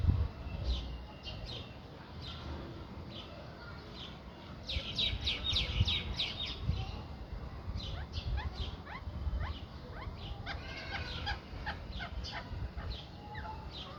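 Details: A pair of Rose-ringed parakeets during mating gives bursts of sharp, high chirps and chatter, in clusters every few seconds, over a steady low rumble.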